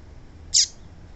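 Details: A single bright, high-pitched chirp with a quick downward slur, from a female papa-capim seedeater calling to make males sing. A faint hum runs underneath.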